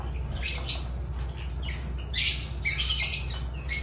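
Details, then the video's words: Agapornis lovebirds chattering in rasping, high-pitched squawks that grow denser and louder toward the end, with a constant low background hum. "Agapornis love birds sounds"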